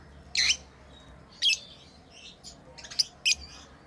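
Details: Tame lovebirds chirping during play: loud, sharp high chirps with squeaky twitters between, irregularly spaced across a few seconds.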